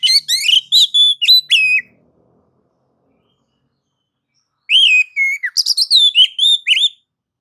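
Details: Oriental magpie-robin song, nagan and ngobra mode, meant to excite other birds into singing; two bursts of loud whistled and slurred notes, the second opening with a falling whistle, about three seconds apart.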